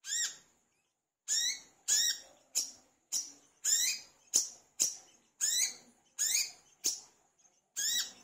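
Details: Olive-backed sunbird, known locally as wiceh or manggar, in energetic song used to encourage other birds to sing. Repeated loud, high, downslurred notes at about half-second to one-second intervals, with a few sharp clicks between.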